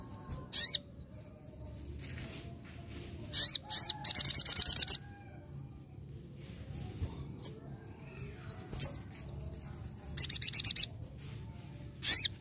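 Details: Vigorously singing sogon giving scattered bursts of shrill, high chirps, including a fast run of rapid repeated notes around the fourth second and further short bursts later, separated by quiet gaps with low background hum.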